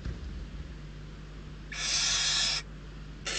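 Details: Hungry barn owl chicks at a nest in Riet Vell Nature Reserve, Ebro Delta, Spain, fighting over prey brought by an adult; one broad rasping hiss lasting under a second, over steady low hum.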